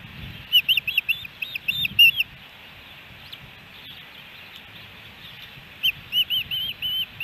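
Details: Osprey at the Hellgate Canyon nest in Missoula, Montana, July 13, 2018, during a three-fish day: two short runs of quick, high, arched chirping notes separated by a few seconds of quiet, with faint low background rumble.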